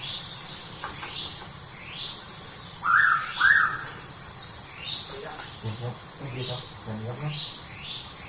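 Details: Pitta calling at Tha Pom in Krabi: a pair of clear whistled notes half a second apart, with a constant high insect drone and scattered soft bird chirps behind.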